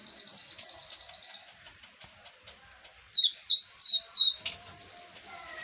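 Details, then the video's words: Konin singing in a training recording for songbirds: after soft scattered notes comes a run of four or five clear, sharp chirps, each slightly falling, with a constant high hum behind. "Konin mewah masteran wajib kicau mania"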